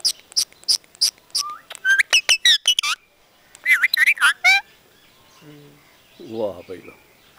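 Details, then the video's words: Parrot that talks in Punjabi sentences gives a burst of sharp clicks, then rapid warbled speech-like phrases and bent whistles, a second garbled phrase run mid-clip, followed by low murmuring sounds. "Talking Parrot"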